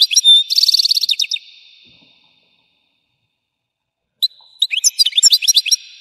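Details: European goldfinch 'explosion' song opening with a pure whistle and a fast rattling trill of repeated notes, then after a pause a rapid jumble of twittering chirps and buzzes.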